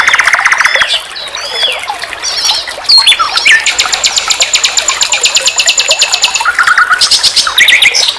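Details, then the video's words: Master training recording of a common nightingale singing: an opening rattle, scattered whistles, then a long, fast, even buzzy trill, followed by a lower trill and closing bursts of high notes. "Masteran SIKATAN LONDO || NIGHTINGALE BIRD, Guru vokal semua burung kicau."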